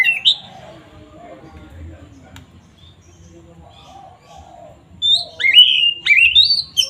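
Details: Oriental magpie-robin song used as a lure to provoke rivals: a short opening note, several seconds of near silence with faint low hum, then a fast closing burst of bright whistles and sharp chips.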